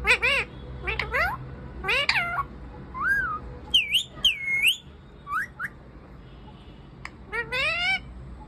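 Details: Parrot sitting on a tree and vocalising nonstop: a varied run of whistled, bending notes that rise and fall, some looping or wavering, with brief gaps between phrases over a soft steady background hum.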